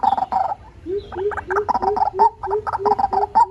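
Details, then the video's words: White-breasted waterhen on a decoy sound file for luring birds: rapid gurgling, croaking notes interwoven with lower, shorter grunts in a steady alternating rhythm, several per second. "Tiếng chim cuốc"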